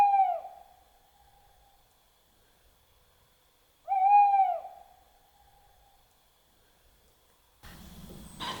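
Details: Just after 6 a.m. on a cold morning, a tawny owl very close by in a tree gives two sharp, nasal, slightly bent calls about four seconds apart, ending in a short burst of rustling noise.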